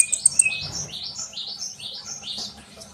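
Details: Sunbird song used as a training bird: thin, high twittering notes with a run of short descending slurred phrases repeated about every half second. A few sharp high chips come at the start, over a low background rumble.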